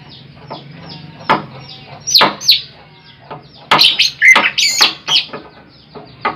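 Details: Greater green leafbird, a big jumbo bird recorded as a trapping lure, giving scattered loud bursts of harsh, buzzy notes and short whistles separated by quiet gaps, over a low hum.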